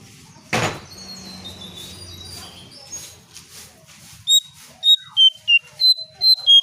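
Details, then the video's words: Brown shrike call used as a lure for birds: after a brief noisy burst and low murmur, a series of about eight sharp, high, whistled notes comes in quick succession, some dipping slightly in pitch. "Jongkangan/Cingcoang coklat untuk pancingan burung anda"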